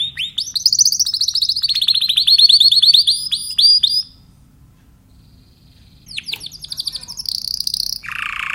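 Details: A Timbrado canary delivers a fast, loud rolling trill wavering in pitch for four seconds, falls silent, then resumes with high trills and a harsh buzzy note.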